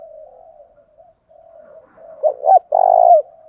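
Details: Spotted dove kept as a fighting decoy, cooing to excite wild doves: quiet low purring at first, then two quick rounded coos and a long, buzzy, quivering final coo that drops away, followed by soft murmur.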